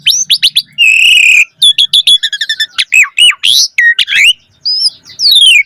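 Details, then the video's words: Full, varied song of an Asian pied starling, used as a lure for other starlings: a steady whistled tone, rapid stuttering notes, looping arched whistles and a falling slur, all high and bright. "Suara Jalak Suren Gacor Full Isian"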